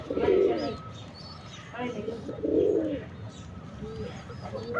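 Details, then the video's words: Male sabza pigeon performing a display, giving low throaty coos in separate bursts about a second apart amid a noisy background with faint higher chirps. "Male Pigeon Super Performance"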